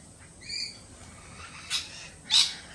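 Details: After a Peregrine Falcon attack earlier this week, lorikeets remain jittery; one soft high call is followed by two sharp, harsh screech bursts, the last one loudest.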